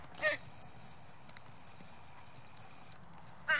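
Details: Northwestern crows in fall 2015, a hungry young crow eating sunflower seeds among adults; two short, harsh, harmonic calls open and close the passage, with scattered light pecking clicks between them.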